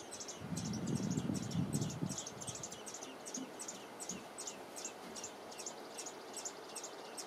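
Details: American robin nestlings, three chicks in a nest under two weeks from hatching, give thin, very high chirps about four times a second in a steady stream. A low rumble of wind or handling noise comes early on.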